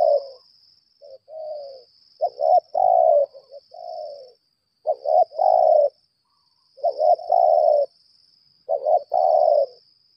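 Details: Decoy spotted dove, a lambung kuk bird, in a long spell of challenge calling. Phrases of a soft lead-in coo, a stuttering pair and a drawn-out husky note repeat about every two to three seconds over a steady shrill hum.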